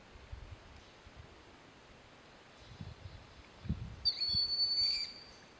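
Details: Broad-winged hawk perched on a snag at Sugar Hill State Forest, Watkins Glen, New York, calling while another broad-winged hawk and a red-shouldered hawk are heard; one thin, high, level whistle lasting about a second after faint rustling.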